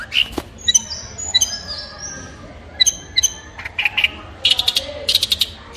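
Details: Long-tailed shrike song with varied material: thin drawn-out whistles, quick high chips, and harsh raspy bursts scattered unevenly, with short quiet gaps between phrases.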